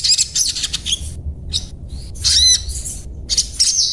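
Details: Crimson sunbird (sogon) in its everyday chattering 'ngriwik' singing, described as 'cuet cuet cuet': thin, very high, sharp chirps in quick clusters, separated by short silent gaps.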